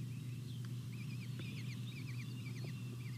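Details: American kestrel nestlings, a brood of five chicks at feeding time on a nest camera, 23 May 2021 around 07:21; rapid wavy squealing notes repeated throughout over a steady low hum.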